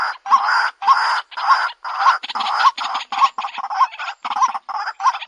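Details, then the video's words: Lure call of the White-breasted waterhen: rasping, broad croaks alternate with brief hooked notes in a fast, slightly uneven rhythm, roughly one and a half to two notes per second. "SUARA PIKAT BURUNG RUAK-RUAK"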